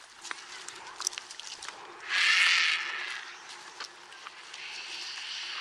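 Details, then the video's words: White-backed vulture (Gyps africanus) in Kruger National Park gives a single harsh, hissing screech lasting under a second, against scattered clicks, rustles and faint distant chatter. "White-backed Vulture (Gyps africanus) Bird Call"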